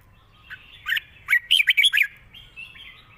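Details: Red-whiskered bulbul giving its long 'rik' song with a light voice: soft fluty lead-in, then five quick rolling warbled notes in a row, ending in softer whistles.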